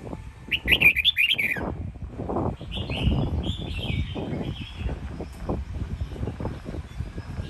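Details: Home-raised red-whiskered bulbul of the Sông Kon line from Quảng Nam, Vietnam; a loud rapid chattering warble opens, then softer slurred whistles follow amid heavy low thumping and rustling noise.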